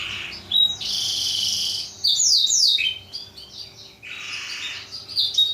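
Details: Black-throated canary song for training canaries, short buzzy bursts mixed with a few sharp down-slurred notes and thin high whistles, with softer quieter stretches.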